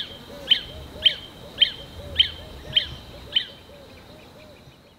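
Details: A Lesser Honeyguide in southern Africa sings from a treetop song post in early spring, advertising itself or attracting a mate: six sharp, high, evenly spaced notes, about two per second, over faint background music.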